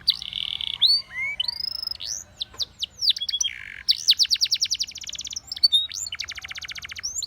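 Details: Varied Spanish Timbrado canary song used to train canaries: buzzy held note, looping upslurred whistles, then fast metallic trills of evenly repeated notes.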